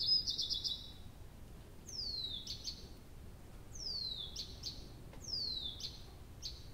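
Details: Night song of a nightingale at Abramtsevo, early June 2021, recorded from 23:00: a buzzy trill opens, then three long whistles sliding downward, each followed by sharp clicking notes, repeated in steady rhythm.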